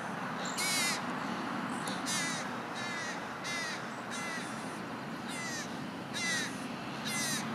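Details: Grown juvenile American crows still fed by their parents give about eight hoarse, rasping begging cries, each short and falling, at irregular intervals of roughly a second, with a steady hiss behind.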